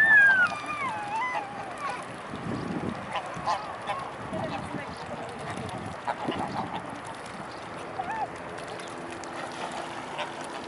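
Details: Among a swarm of swans at Blaues Wunder on an afternoon in late May 2016, one mute swan gives a strong, nasal, downward-sliding call. Wavering echoes of it follow, then scattered soft grunts over a continuous low background hum.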